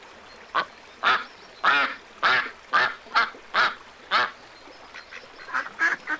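A duck gives harsh, nasal quacks, about ten in six seconds, some in quick pairs, over a low background hiss.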